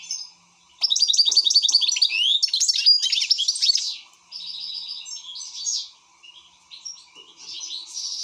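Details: Excited European goldfinch singing a fast, liquid twitter of trills and tinkling notes, loudest in the first three seconds, then softer broken phrases; a faint steady low hum runs underneath.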